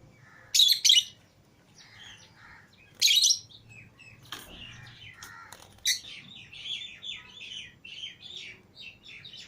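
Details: Pet lovebirds, green Fischer's and lutino pairs, out of their cage with other lovebirds, chirp in loud sharp high bursts, then a run of softer rapid twittering notes.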